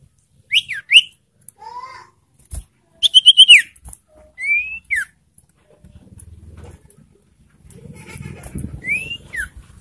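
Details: Ashy tailorbird lure call meant to provoke and arouse birds in breeding condition: scattered sharp whistled notes, some down-slurred and some rising, often paired and spaced by pauses, with a faint low rumble in the second half.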